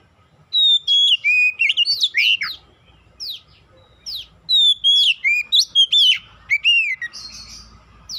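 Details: Oriental magpie-robin in full song, used to trigger singing in others: an almost continuous run of loud whistles, varied chirps, upward and downward slides and sharp sweeps.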